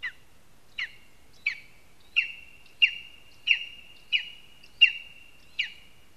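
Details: Lesser spotted eagle at a spruce nest in Zemgale, Latvia, giving a loud series of nine clear, high yelping notes, each dropping sharply with a short trailing tail, repeated roughly every 0.7 seconds against a quiet background.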